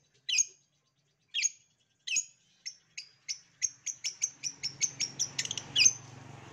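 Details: Long-tailed shrike master song used to prompt other shrikes to sing, a series of sharp squeaky notes, first three widely spaced, then speeding into a rapid even chatter of about a dozen calls, with faint low hum.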